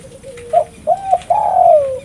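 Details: Spotted dove (tekukur) used for luring birds: a thin low note, then a short coo, a hooked coo and a long trembling coo fading downward.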